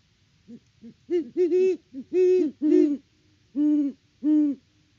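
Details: Great horned owls, a mated pair, trade hoots at the nest in Peabody, Kansas, mid-October 2023; two soft lead-in notes give way to longer, booming hoots, the birds overlapping, then two evenly spaced hoots close the sequence.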